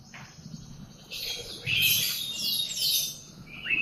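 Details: Canary in the morning, giving high sweeping whistles and short chirps that overlap in a bright, tangled phrase, with softer scattered notes at the start and end.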